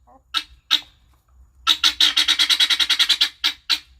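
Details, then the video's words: A happy guineafowl making noise: two harsh single squawks, then a fast rattling run of grating, high-pitched notes repeated about five per second before two final squawks, with a low hum beneath. "Happy Guinea Makes Some Noise"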